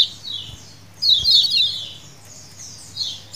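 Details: Lemon-bellied white-eye colony calls used as a lure: a soft chirp, a pause, then a loud cluster of high, overlapping chattering notes, and another burst at the end over a faint low hum.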